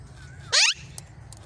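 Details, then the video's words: Talking pet rose-ringed parakeet giving a single loud, harsh, sharply rising screech of about a quarter second, preceded by a faint thin whistle, with a steady low hum and quiet room noise throughout. "Raw Parrot Talking"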